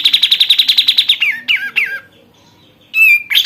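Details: Caged sooty-headed bulbul, kept and trained for one month, singing loudly in full form: a rapid burst of about fifteen even chirps, then slurred, descending whistled phrases and a sharp final note.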